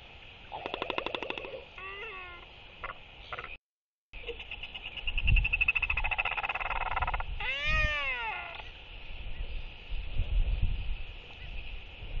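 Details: Courting Northern royal albatrosses, four socializing non-breeders looking for mates, evening of 23 October 2023. Rattling claps and short yaps. Later a drawn-out, quavering braying call sweeps up and down. Strong wind throughout.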